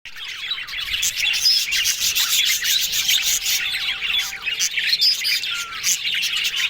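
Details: Yellow budgerigars, described as happy, keep up a dense warbling chatter of fast chirps and squeaky twitters. Sharp scratchy clicks run through it and one long, steady whistled tone holds for about a second midway.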